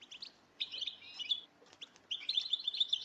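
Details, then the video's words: Goldfinch twitter in the batbata style, played to attract goldfinches for trapping: a fast, liquid stream of high, buzzy trills and tinkling notes in two bursts divided by a short break. "بتبتة الحسون"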